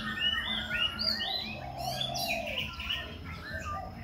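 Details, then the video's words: Continuous voice-switching song of a Khe Sanh laughingthrush performing a dance: quick, clear whistled notes and slurred phrases tumbling one after another, some bright high sweeps, over a faint low droning background. "Khướu Khe Sanh hót múa đảo giọng liên tục"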